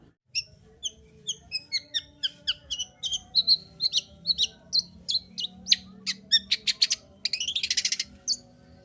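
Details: Long-tailed shrike singing energetically, played as a lure to rouse silent birds into breeding condition. Quick run of sharp, high chirps and whistled notes of varied pitch, then a dense buzzy rattling burst near the end.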